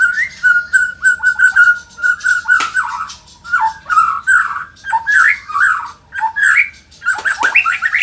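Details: White-rumped shama from Indonesia, a lively performing bird, singing a varied song: a run of steady whistled notes near one pitch, then rapid warbled and slurred phrases with sharp clicks, in bursts separated by brief pauses.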